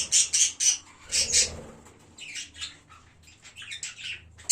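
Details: Pet budgerigars in a parrot colony, recorded 1 January, giving bright, scratchy chirps in quick bursts of two or three, with pauses between groups and softer twittering toward the end.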